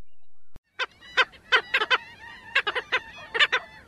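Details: A black skimmer in Florida gives a quick run of short, nasal, barking notes, about a dozen in three seconds, some doubled, in an uneven yapping rhythm.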